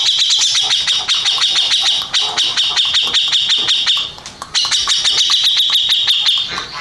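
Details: Grey-cheeked bulbul, a first-place contest winner, delivering a fast, harsh chattering song of dense buzzy notes repeated in a steady stream, with a brief pause near the middle before the rapid rattling resumes.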